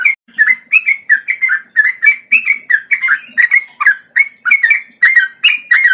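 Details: Cream-vented bulbul male in long rolling song, a steady stream of quick warbled whistles, each note dipping and rising, delivered in an even rhythm of roughly three phrases per second, loud and unbroken over quiet background.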